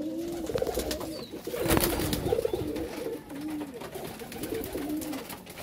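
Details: White pet pigeons in a loft, kept as pet birds that perch on their keeper's neck, give low, soft cooing phrases. The phrases repeat through the recording, with a burst of rustling and handling noise in the middle and an indoor room background.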